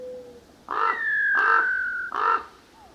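A common raven gives three harsh, hoarse croaks in quick succession, the middle one drawn out, with a faint whistle-like tone before them.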